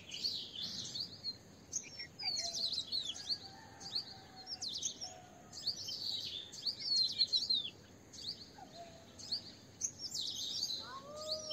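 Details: Asian green bee-eaters in steady chatter, rapid high trilled notes repeated in bunches for over ten seconds, while another bird gives low drawn-out whistles in the background.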